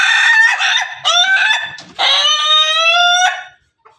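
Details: A Pelung or Ketawa rooster among both breeds gives a loud, rich crow: two rising opening phrases followed by a long, sustained, slightly sliding note held for over a second before cutting off.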